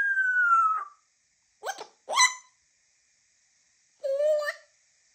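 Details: African grey parrot: a slowly falling whistle, two quick harsh clicks, then after a pause a short, nasal tonal call that rises at the end.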